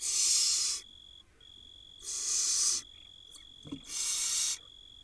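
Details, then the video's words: Begging barn owl nestlings in Israel, 2022, fed by their mother: three long, loud rasping hisses about two seconds apart, with a couple of soft clicks between them and a constant electronic hum. "Barn Owl tiny nestling swallows mouse while other get fed by their Mom."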